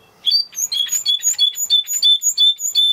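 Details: Clear, whistled notes from a Spanish Timbrado canary, repeated steadily about five times a second in a bright, tinkling, bell-like series.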